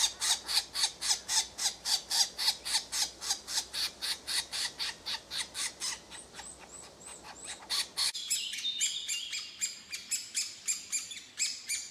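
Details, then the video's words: Hungry woodpecker chicks calling for parents and food: harsh, raspy begging calls, nearly four per second, shifting after eight seconds to a denser, chattering chorus. "Woodpecker Hungry Chicks Calling Sounds"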